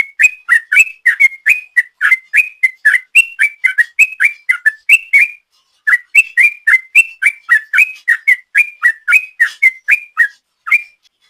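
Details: Sooty-headed bulbul lure song in the long ropel style: fast, repeated whistles flipping between two pitches, a brief pause midway, then the same rapid alternating series resuming until the end.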